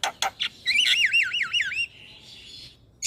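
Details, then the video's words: Starling song used to coax caged starlings into singing: a few rough chirps, then a clear whistle warbling up and down for about a second, fading into a soft hiss. "Terapi Semua Jenis Burung Jalak Sekali Putar Jalak Macet Bunyi Seketika Nyaut"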